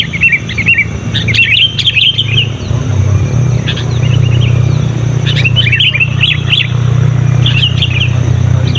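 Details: A persistent, loud sooty-headed bulbul calls to wild birds of its kind: clusters of quick, bouncy chirped notes come in bursts every second or two above a continuous low droning hum.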